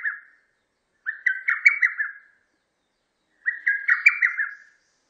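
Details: Lesser cuckoo (Cuculus poliocephalus), call.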